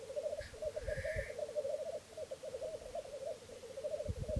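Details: Three male black grouse displaying at a lek in Florarna, Sweden, early morning on 17 April 2013: a continuous, low, dove-like bubbling that rolls on without pause, with a brief higher hiss early on and low wind rumble.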